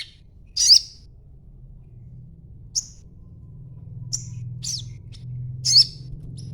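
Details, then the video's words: Young crimson sunbird, still in green juvenile plumage, chattering as a lure to make other sunbirds answer: a few sharp, very high chirps spaced a second or more apart over a low steady hum. "sogon muda ijoan ngriwik coba dengarkan ocehanya pasti nyaut bunyi sogonmu"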